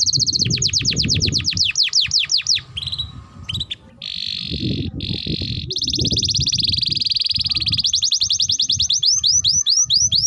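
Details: Canary tutor song: quick series of descending chirps, a pause with scattered notes, then sustained rolling trills and rapid rising notes, over low-pitched background noise.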